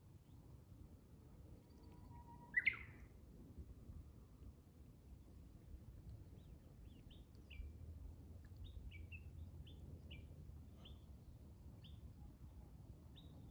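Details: Japanese bush warbler singing faintly outdoors: a short, low, held whistle is followed by a quick upward-sweeping flourish. Other high, short chirps are then repeated through the rest of the recording over a low rural rumble.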